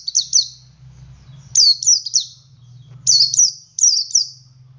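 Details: Ngalas song of a male Oriental white-eye, meant to draw other white-eyes into singing: three bursts of two to three very high, sharply falling tweets, each burst about a second and a half apart.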